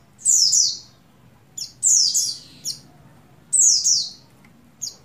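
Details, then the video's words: High, strongly downslurred double chirps from a breeding female buxtoni Oriental white-eye calling the male. Each loud note is paired with a short, quieter flick, repeated about every one and a half seconds, over a soft low hum. "Call Burung Pleci Betina Birahi Memanggil Jantan"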